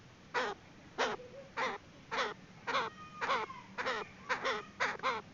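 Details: Female Chinese francolin lure call for trapping birds: short, harsh, nasal notes repeated steadily, nearly two each second, for about five seconds over a faint background hiss.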